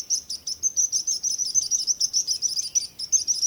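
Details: Bright, high bird tweets repeat rapidly, around three per second, in a lively chattering series over a gentle hiss.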